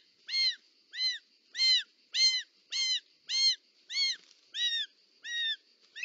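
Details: At a nest in Parc Natural dels Ports, Catalonia, 18 July 2024, a short-toed snake eagle calls as the mother delivers a snake: ten bowed, ringing notes in a steady series, roughly one every 0.6 seconds, over a faint constant tone.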